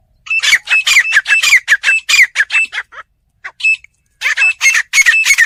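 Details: Village fighting partridge (teetar) giving loud, rasping notes in quick series, each note harsh with a slight upward kink, broken by a brief silence before another rapid run of grating calls.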